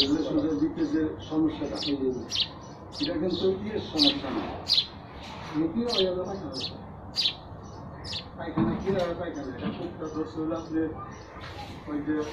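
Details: Sparrows chirping: short, sharp, high chirps repeated in quick irregular bursts throughout, over lower murmuring voices in the background.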